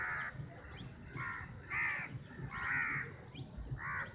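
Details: A large crowd of crows squabbling over chapati, roughly fifty birds; hoarse caws come in quick succession, about one a second, from several individuals amid steady low noise.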